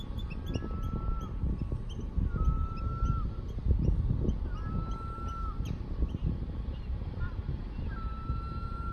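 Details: Gulls calling in Iceland, a series of drawn-out level cries repeated about every two to three seconds, heard over strong low wind rumble and background noise.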